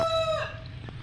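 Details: Tail of an aseel rooster's crow: a held, ringing note that breaks and drops away after a split second, over a low background hum.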